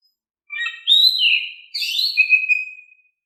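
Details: Oriental magpie-robin in lively, loud singing form, used to lure or provoke other birds into singing: whistled phrases sliding between high notes, with bright rising and falling sweeps, a pause, then a second varied phrase ending in a long steady whistle.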